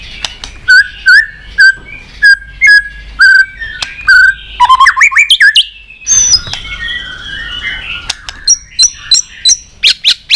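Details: A white-rumped shama sings a many-voiced long song while flicking its tail. A regular series of clipped, whistled notes about every half second, then a quick warbled flourish and a scratchy passage, ending in spaced sharp chips.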